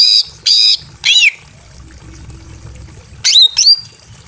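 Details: Greater green leafbird female, in breeding condition and kept in a simple aviary, calls to attract a male: three rasping buzzy notes close together, a quiet gap, then two bright upslurred whistles.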